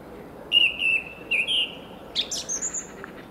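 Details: Male fieldfare singing to attract a mate in a local park, 21 March 2015: a short run of slurred mid-pitched whistles, then higher squeaky, chattering notes, with a soft background hiss.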